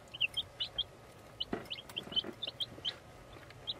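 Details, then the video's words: Peeping of baby chicks in a chicken house: thin high cheeps, singly and in quick runs, over constant low hiss and a brief rustle. "Tweet! Tweet! Baby Chicks!"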